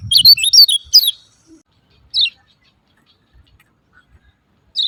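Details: Lemon-bellied white-eye 'ciak ciak' calls, used as a lure for silent caged birds: a quick cluster of high, twittering chirps in the first second, then near silence broken by two single sharp notes.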